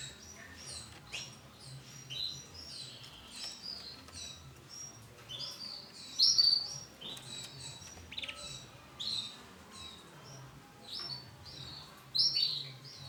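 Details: Starblue-coloured male canary calling in irregular, well-spaced bursts of high thin chirps and brief twitters, the loudest sharp notes coming at about six and twelve seconds, with low steady background hum.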